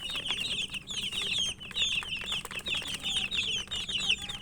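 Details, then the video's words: Chicken chicks peeping while feeding. Loud, high, twittering cheeps overlap almost without gaps, accompanied by sharp pecking clicks. "Murgi chicks Chirping sounds and eating"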